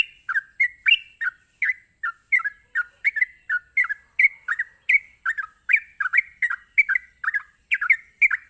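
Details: Sooty-headed bulbul in rapid 'ropelan' song, played to incite other bulbuls to respond; evenly spaced, chirpy, slurred phrases about three each second throughout, over a continuous faint high whine.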